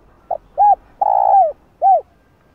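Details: A single phrase from a spotted dove calling to stimulate wild doves: a faint clipped note, an arched hoot, a long sustained coo sliding downward, then one more arched coo in a quiet setting.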